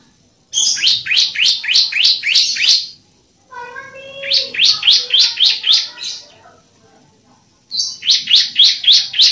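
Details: Bar-winged prinia song played as a model for caged birds: fast runs of high, downward-slurred chips, roughly three to four per second, in three bursts with a lower, softer warbled phrase between them.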